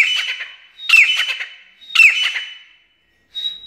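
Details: Irani teetar, a black francolin, uttering three rasping, scratchy phrases, each opening with a sharp downward-sliding note, about one per second, followed by a brief thin whistled tone at the end.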